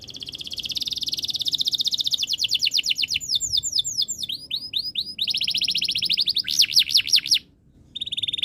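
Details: Canary singing a long rapid trill that turns into sweeping whistles, then another fast roll and zigzag notes, a short pause, and a final buzzy trill.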